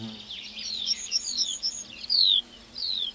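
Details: Lark in a meadow pouring out a fast, high warble of trilled notes and a couple of long, clear descending whistles.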